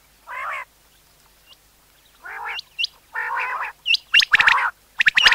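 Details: Common quail calling for hunting: short buzzy harmonic bursts alternate with sharp upward-hooked high notes, loudest and quickest toward the end, with brief clicking sounds.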